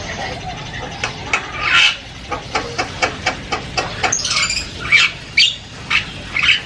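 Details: Javan myna giving loud, varied chatter: a quick series of harsh, clicking squawks repeated about every half second, mixed with higher rasping and buzzy notes toward the end, over a faint background hiss.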